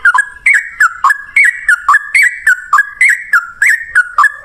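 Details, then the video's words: Lively Yellow-vented Bulbul song in the 'ropel ngalas' style, meant to prompt other bulbuls to sing back; fast, even series of chirpy, looping whistled notes, roughly three to four per second, with sharp clicky starts. "suara trucukan gacor ROPEL NGALAS, pancingan trucukan agar bunyi jadikan burung trucuk nyaut gacor"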